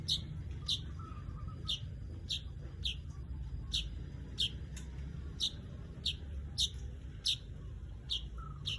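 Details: Long run of weaver chirps, about a dozen short, sharp falling notes repeated every half second to second, steady and insistent, over low background hum.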